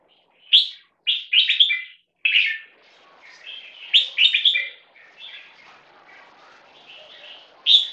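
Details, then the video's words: Crossbred red-whiskered and stripe-throated bulbul, captive and 1.5 years old, from a champion contest line, giving a loudness test: rapid loud whistled bursts early, then softer rambling warbles and a final loud note. "New Jambul Bee-Wing, Keke, Loudness test"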